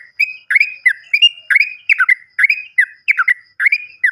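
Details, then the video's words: Sooty-headed bulbul played as a lure to prompt silent birds to sing: loud, rapid series of short chirped notes dipping and rising around the mid-range, about two notes every half second, with faint high overtones. "PANCINGAN BURUNG TRUCUKAN MACET BUNYI"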